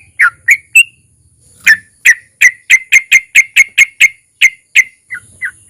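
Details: Sooty-headed bulbul long ropel with narung as a lure for other bulbuls; three opening notes, a pause, then an accelerating run of clear whistles ending in softer lower notes.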